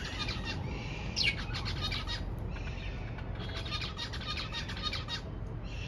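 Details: Zebra finch song, heard alongside a diamond dove: rapid buzzy, nasal notes in quick stuttering bursts, with one brief rising squeak, over a steady low hum.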